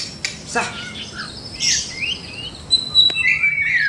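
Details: White-rumped shama song played to train birds in the morning. Soft scratchy notes and a breathy whoosh come first, then sharp clicks and a clear, fast, slightly falling high whistle over light background hiss.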